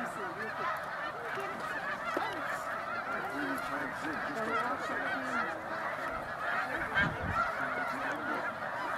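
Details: Snow geese crowded on a lake at sunset in Pennsylvania, endless overlapping honks from the huge roosting flock, with nearer yelping calls repeated quickly in the foreground.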